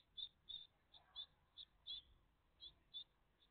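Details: Great tit family at the nest, 14 June 2023, between 09:48 and 09:58; eight short, high squeaks spaced irregularly, some paired, about two a second, over faint background hiss.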